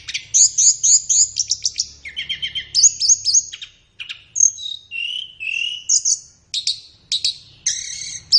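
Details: Training song of a flowerpecker for captive birds, suited to morning or afternoon sessions: opening rapid series of sharp high notes, then varied chips, short whistles and two lower drawn-out slurred notes.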